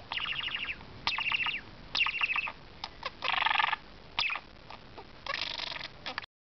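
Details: Talking pet budgie gives repeated rattling, stuttered phrases and harsh buzzy stretches between chatter, with background hiss before an abrupt end.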